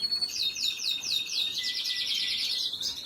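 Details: Canary chicks at feeding, 26 April 2022: a run of high, downward-slurred squeaks, about four per second, that speed up into a dense, shrill chatter.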